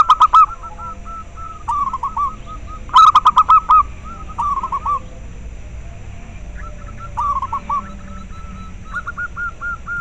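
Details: Zebra dove of local stock, a call meant to stimulate caged doves into breeding and singing and to attract wild ones. Repeated strings of quick, hooked cooing notes in several bouts, loud and clear.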